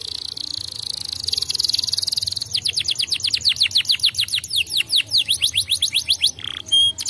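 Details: Canary song that stimulates other canaries to sing: a dense high buzzy trill, then a run of clear descending whistled notes repeated quickly, ending with short chirps.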